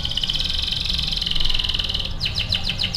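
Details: Atlantic canary (kenari AF) singing a training song: a long, even, high buzzing trill, then a few separate sharp downslurred chirps.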